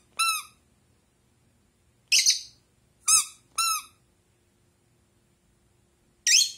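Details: Pet blue Rosy-faced lovebird kept indoors, answering a squeaky toy duck: short harsh buzzy chirps come after the toy's clear, tonal, harmonic squeaks, which sound three times, in a quiet room.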